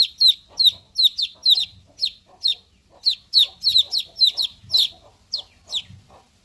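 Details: Chicks peeping in shrill, high, downward-slurred notes, given in quick bursts of two or three with short gaps, about twenty notes in six seconds, with faint low thumps underneath.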